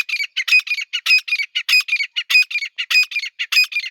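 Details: Female grey francolin calling with harsh, shrill, squawking notes in a fast run, a louder accented burst about every 0.6 seconds. A male stands with her, and another francolin calls in between.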